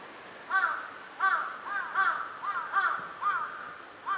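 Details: Eurasian wigeon at a park pond in Junsai-ike green space, Chiba, Japan, in winter, February 2026: a clear arched whistle, rising then falling, repeated about every half second to second in separate bursts over a quiet background.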